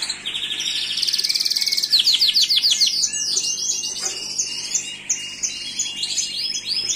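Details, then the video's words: Gloster canary song with bright rapid trills, a cluster of downward-slurred whistled notes, then continued high twittering and rolling phrases. "تغريد كناري جلوستر"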